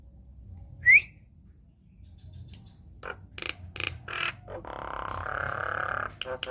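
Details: Nias hill myna (Common hill myna) song used as a lure/training recording: one loud, sharply rising whistle, then a run of harsh clicks and a raspy, gurgling squawk near the end, with music.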